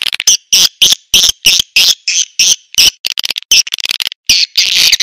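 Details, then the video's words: Swiftlet lure call made of loud, short chirping pulses about three per second, with a faint thin whistle underneath. Quicker clicking clusters follow. "Suara Tarik Burung Walet"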